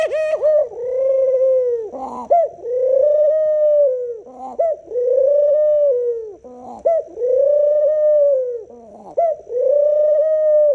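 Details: Pet dove kept at home and tamed, cooing in long drawn, mellow, slightly wavering notes, each lasting about two seconds and separated by short rough breaks, indoors.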